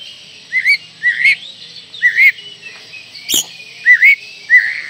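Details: Oriental magpie-robin song used to lure young birds into singing: short upslurred whistles repeated about every half second, over a constant high hiss with one sharp click.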